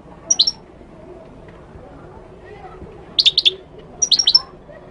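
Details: Three separate bursts of bright, high-pitched twittering from a Moroccan goldfinch, each a tight group of quick chips, with silence between them.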